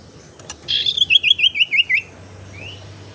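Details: Tailorbird (sirtu teras) lure sound, used to attract birds or to prompt ones that have stopped singing: a rapid series of about seven sharp, high, slightly dropping notes over just over a second, then one rising note, with faint low background hum.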